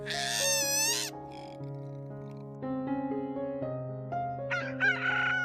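A rooster gives a strained, wavering crow lasting about a second, then a second brief burst near the end, over steady background music.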